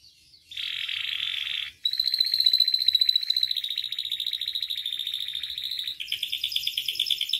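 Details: Canary song from a master recording meant to train and provoke canaries to sing, full of varied phrases: a buzzy rolled note, then a long rapid trill of repeated notes, ending in a higher, faster rattling roll.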